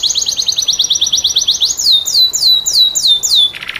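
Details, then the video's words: Canary with a vigorous, distinctive cengkok song for teaching other canaries: a rapid even trill, then a slower series of clear downslurred whistles about three per second, ending in a brief lower buzzy note. "SUARA KENARI CENGKOK UNIK GACOR||COCOK BUAT MASTERAN||TERAPI KENARI"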